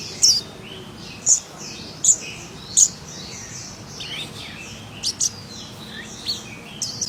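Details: Wild scarlet minivet in active song: four loud, piercing high notes at roughly one per second, then softer scattered chirps and brief twitters as the sequence trails off.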